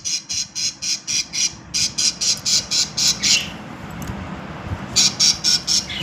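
A budgerigar gives harsh, high chirps in a fast, steady series, about four a second.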